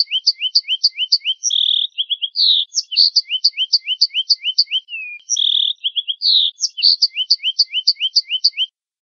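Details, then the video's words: Masteran recording of a finch: lively repeated chirp runs, each note flicking upward, alternating with buzzy trills, a burred note and a descending slurred whistle, in a pattern that loops twice without background noise. "Suara Burung Finch"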